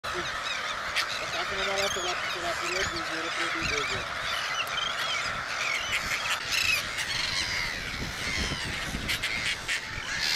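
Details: Dense chorus of slender-billed gulls at Langue de Barbarie, Senegal, in April 2010: nasal, mewing calls overlapping continuously, with a few lower, drawn-out notes standing out early on.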